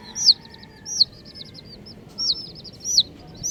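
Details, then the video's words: Chirping colourful baby chickens. Loud piercing peeps recur roughly every three-quarters of a second, each followed by a trail of softer quick cheeps. "Colourful Baby Chickens | Cutie Chicks Chirping Sounds"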